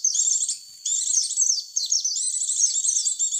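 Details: High, rapid white-eye twittering from a lure recording meant to attract white-eyes: a half-second chatter, a brief gap, then a long run of jumbled thin chirps and downslurred notes.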